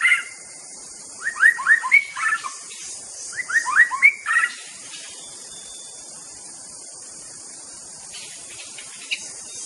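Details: White-rumped shama giving two quick phrases of rising, slurred whistles close together, then mostly quiet with only faint distant chirps against a constant high hiss.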